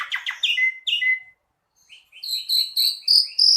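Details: Asian pied starling, locally jalak suren, in gacor song: quick descending chirps and a thin level whistle, a brief silence, then an accelerating row of clipped, rising chirps.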